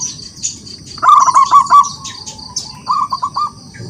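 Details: Local wild zebra dove singing energetically to provoke rivals into answering, giving a loud rapid trill of rolling low coos followed by a shorter stuttered phrase, over a constant high-pitched tone and faint chirps.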